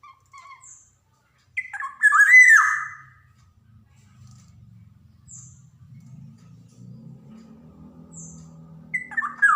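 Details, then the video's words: Black-naped oriole in full voice, used as teaching material for young birds: faint short whistles, then one loud harsh nasal call sweeping down, followed by low rumbling background noise and another call starting. "SUARA PANCINGAN KEPODANG JAWA | kicauan kepoxang emas gacor cocok buat merangsang kepodang bahan"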